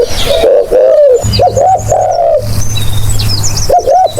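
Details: Lure recording of a spotted dove: close, loud rounded coos, a drawn note then paired short notes, a pause, then another pair, over faint high bird chirps and a low hum.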